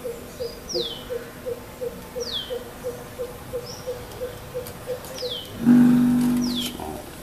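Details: Greater coucal in Goa, February 2018, giving a steady series of deep, hollow hoots, about three per second; another bird adds high down-slurred whistles, and a low drone swells near the end.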